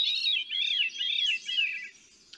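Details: Veery (Catharus fuscescens) song: breezy, ringing phrases spiral downward, echoing as if called down a tube, about four overlapping loops in two seconds, fading at the end.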